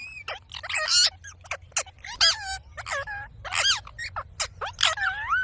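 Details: Ring-necked parakeet talking in a rapid, speech-like series of short wavering syllables, roughly evenly spaced, with faint low background hum.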